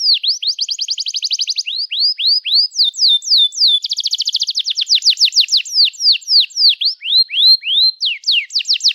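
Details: A canary sings a long, varied song intended to train young canaries: bouts of fast buzzy trilling interleaved with series of falling and rising whistled notes, steady and loud without pauses.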